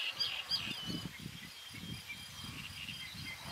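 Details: Coot in Spain, where the endangered Red-knobbed coot and the Common coot occur together; it gives low, hoarse grunting notes in quick uneven bursts, about three per second, with thin high twittering of other birds above.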